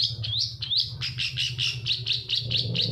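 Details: Long-tailed shrike singing as a lure for quiet shrikes: quick upward-swept whistles lead into a fast series of scratchy chattered notes, with a constant low hum beneath.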